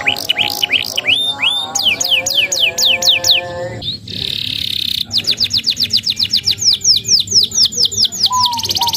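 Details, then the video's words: Young canary song used as mastering material to train other canaries: fast repeated downslurred whistles, a tonal rolling trill with lower harmonics, a brief buzzy burst, then a long series of rapid downslurred notes ending in a fine high trill. "MASTERAN KENARI PAUD"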